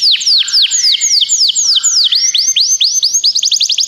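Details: Canary song played to encourage another canary to sing: loud, high sweeping notes repeated in fast series, each dropping sharply in pitch, changing tempo into quicker trills near the end.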